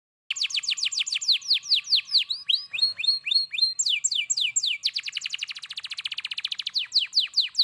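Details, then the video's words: Canary singing vigorously, a fast run of bright descending whistled notes, then quick buzzy trills and a dense rapid roll near the end, with clean silence behind. "kenari gacor"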